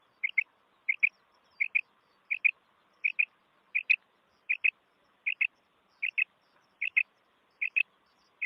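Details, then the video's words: Common quail call played for quail hunting: crisp paired notes, the second slightly higher, repeated about every 0.7 seconds in a steady series, with faint background hiss. "Common quail effects"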